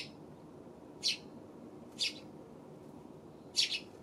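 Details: Eurasian tree sparrow on 24 October: short harsh chirps repeated irregularly, about one per second, over a steady low rumbling background noise.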